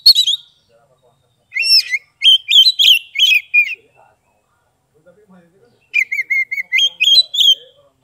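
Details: 'Ngeplong' song of an Oriental magpie-robin from Kebumen, Central Java: a short opening note, then a string of bright whistles and looping slurs, a quiet gap of nearly two seconds, and another whistled series.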